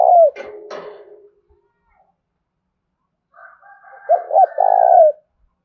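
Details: Spotted dove decoy luring wild birds: a single falling coo and a few sharp clicks open the passage, followed after a pause by faint higher notes and then a full double-and-long coo phrase.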